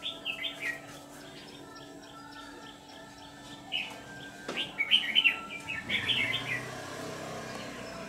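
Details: Red-whiskered bulbul kept as a trapping decoy, giving short chirpy phrases early on, then a louder tumbling run of warbled, rising-and-falling notes near the end, with rustling and a knock in the background.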